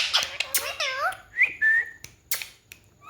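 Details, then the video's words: Pet ringneck parrot talking indoors in a small room: short harmonic speech-like syllables with gliding tones, then a rising whistle and a level whistled note, with sharp clicks around it. "Talking parrot Natural sound"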